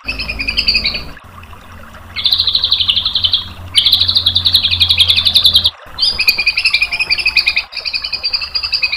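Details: Tutor song of a White-rumped shama for provoking a reply: repeated bursts of fast, even, rattling trills at high pitch, each lasting one to two seconds, separated by brief pauses.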